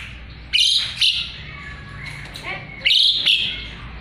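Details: An Asian pied starling singing actively, its song used to train magpie-robins, gives paired harsh, scratchy shrieks, a quiet gap with faint chatter, then another loud double burst.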